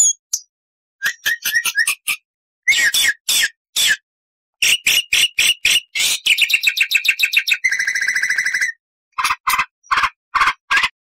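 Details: Black-winged starling singing loudly with full repertoire: harsh squawks, rapid chattering bursts and a long buzzy rattle, broken by short pauses, with long and short phrases, clear and loud with no background noise.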